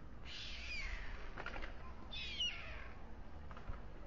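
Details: At dusk on a white stork nest atop the town hall tower in Alcalá de Henares, Spain, a male feeds his two chicks. Two breathy, falling hisses come about two seconds apart against a quiet background hum.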